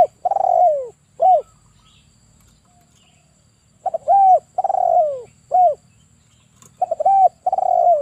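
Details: Male spotted dove used as a trapping lure, cooing repeatedly: low, hollow phrases, each a quick stutter, a short note and a long coo falling away, repeated about every three seconds in a quiet setting.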